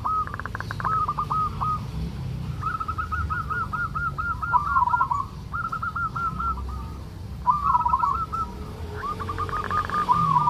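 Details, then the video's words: Male local zebra dove from Indonesia in 'kerot' song, used to lure and trigger breeding urge: several long runs of fast, staccato stuttering notes ending in warbled coos, separated by short pauses, with steady low background rumble. "Suara perkutut lokal NGEROT, solusi untuk menaikan birahi perkutut agar cepat rajin bunyi"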